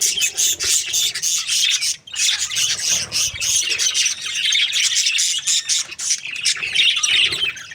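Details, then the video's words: A breeding pair of budgerigars, described as happy, chirping in a dense, continuous stream of high, scratchy twitters and squeaks with only a brief pause near the second mark. "Happy budgies chirping sounds | parakeet breeding pair"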